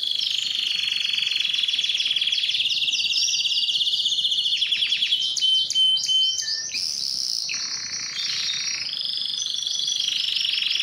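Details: Strong, extended canary song meant to attract females for breeding: a dense, continuous high trill with overlapping buzzy and whistled elements, brief clicking notes midway, then steady rolling trills.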